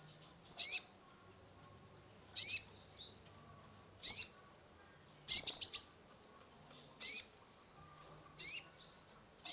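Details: Sunbird (kolibri ninja) in full song, used as a lure for a stressed caged bird: loud, piercing high chirps repeated roughly every one and a half seconds, some doubled or tripled, each followed by a softer short note.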